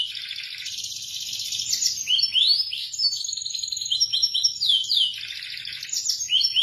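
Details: Indonesian local canary in full song, mixing dense buzzy trills with rapid rising whistled notes in quick series, continuous and high-pitched throughout.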